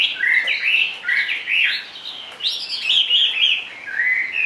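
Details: Chinese hwamei singing in a carrying cage: rich, clear whistles in short slurred phrases, some rising and some dropping, delivered in rapid bursts with brief gaps between them.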